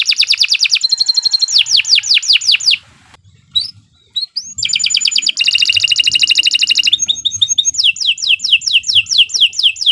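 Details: Long canary training song: fast trilled rolls and sweeping notes, a brief pause with scattered single chirps, then dense buzzy trills and repeated downslurred notes.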